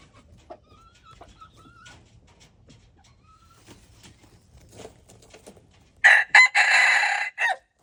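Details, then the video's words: Red junglefowl recorded on February 13, 2025, giving a loud four-part crow near the end: a short burst, a second brief note, a long drawn-out middle phrase and a clipped final note, preceded by several seconds of faint, quiet background sounds. "red jungle fowl"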